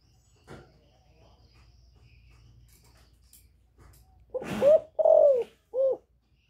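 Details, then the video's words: Female spotted dove giving a nest call to excite males: after a few soft clicks and quiet rustling, a brief phrase of three low coos follows, the middle one long and falling, the last short. "Tiếng Cu MÁI GÁY GỌI. Kêu ổ kích trống căng lửa, tiếng cu đất mái"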